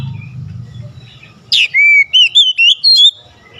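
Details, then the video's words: Loud, energetic song of an oriental magpie-robin kept to rouse a reluctant bird: a burst of slurred whistles followed by five or six sweet, wavering whistled notes in quick succession over faint low rumble. "Kacer gacor cocok untuk nambah emosi Kacer malas bunyi"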